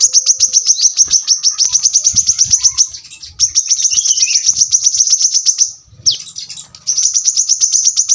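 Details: Brown-throated sunbird pouring out long runs of very fast, high, sharp chips, about four per second, with a brief pause and one falling note before the trill resumes. Nearly no other sound.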